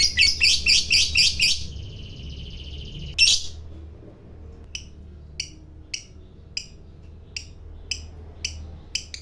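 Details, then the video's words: Lovebird fighter prized for long ngekek chatter that provokes other lovebirds. A burst of quick, loud high notes opens, followed by a thin sustained tone, another squawk, then sparse short ticks. "Suara Burung Lovebird Fighter Ngekek Panjang"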